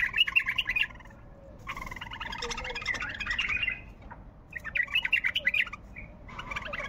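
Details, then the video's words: Bulbul singing a varied, developed song: bursts of chattering, warbled notes around mid-high pitch, in phrases of about one to two seconds separated by short pauses, with a quiet background. "تغريد بلبل طور حنجره ولغات روعه"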